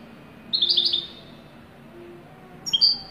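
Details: European goldfinch, called wedani, gives a quick tinkling twitter of jumbled high notes lasting half a second. After a pause comes a sharp high double chirp, with a faint low tone in the background.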